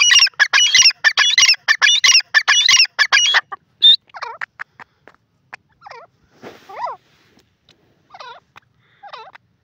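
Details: Grey francolin, locally called teetar, bursting into a loud, rapid series of harsh, ringing notes for about three seconds. Sparser, shrill, looping whistled calls follow at irregular intervals in a quiet setting.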